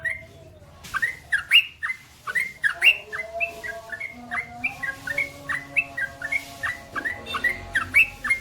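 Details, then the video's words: Lively ropel-panjang singing of a male trucukan, the Yellow-vented Bulbul: a long, steady run of short whistled notes with up- and down-slurs, accelerating into a continuous chatter, over a faint tonal hum. "SUARA trucukan gacor ropel panjang"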